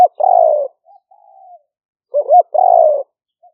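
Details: Spotted dove lure call in the liu fueang style, recorded live by smartphone in rainy-season rice fields at Nong Khu Phai, Roi Et, Thailand, 2021: two phrases of a short note and a long, falling, mellow coo, with faint soft notes between.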